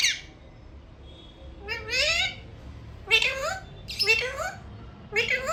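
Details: Alexandrine parakeet talking, repeating "mummy mithu": a short high squeak, then four bursts of speech-like mimicry with rising, slurred tonal syllables in a quiet room.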